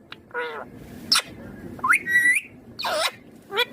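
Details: Mixed sounds from a pet green ringneck parrot: a short nasal call, a thin high whistle, a rising whistled glide into a level tone, then a rougher squawk and a final short note.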